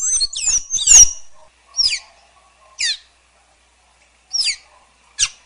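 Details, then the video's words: Sayaca tanager, Thraupis sayaca, with a quick squeaky twittered phrase followed by a series of single sharp downslurred high notes spaced about a second apart. "Celestino Canto! Llamado! Sonido! Cantando! Llamando! - Sayaca Tanager Bird Song - Thraupis Sayaca"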